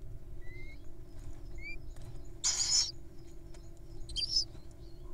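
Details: Hungry wild owls at feeding time: one strong raspy hiss, then a shorter rougher one a second and a half later, amid brief whistled notes from other birds.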